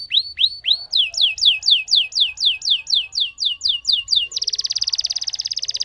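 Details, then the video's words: Lemon canary singing a long rolling song: a steady series of downward-sweeping whistled notes about four per second, ending in a fast buzzy trill. "Burung Kenari Lemon Gacor Ngerol Panjang"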